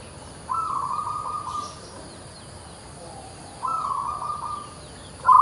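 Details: Zebra dove of a local variety, singing eagerly with an unusual voice, delivers steady, level cooing phrases about a second long, spaced roughly three seconds apart, the last starting louder as the recording ends; quiet hiss behind.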